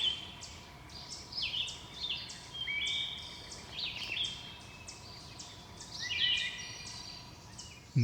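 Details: A Wood Thrush perched singing in Shenandoah National Park in the Blue Ridge Mountains gives flutelike, ringing phrases ending in high, shimmering trills, repeated every second or so over a soft forest hush.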